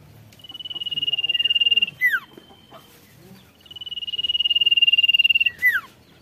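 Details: Golden-bellied gerygone singing energetically to provoke rivals, two phrases each of a sustained high buzzy trill growing louder, closed by sharply descending whistled notes.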